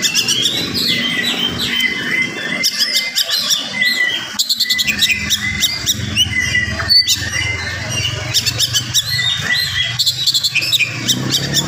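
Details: Fast, dense morning singing by an oriental magpie-robin intended to excite other magpie-robins; rattling bursts, stacked chirps and clear whistled phrases broken by short pauses, with people murmuring faintly.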